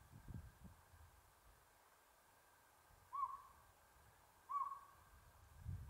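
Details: Northern pygmy owl recorded 7 April 2022 at Buckhorn Campground, San Gabriel Mountains near Los Angeles: soft hollow toots in the second half, spaced about 1.4 seconds apart, after a stretch of low rumbling handling or wind noise.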